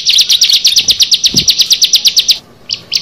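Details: Bar-winged prinia, one of six birds, giving a rapid burst of loud high chirps that stops abruptly, followed by two isolated notes.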